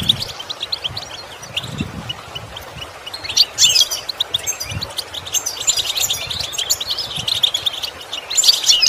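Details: Goldfinch song from a recording meant to improve a caged bird's song through imitation: soft twittering at first, then louder tinkling bursts and rapid trills in the second half, with low bumps heard beneath.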